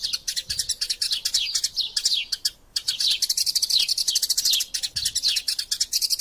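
Eurasian tree sparrows chatter in a dense, nonstop stream of bright, high chirps and short descending tweets, several birds overlapping, with a brief pause midway.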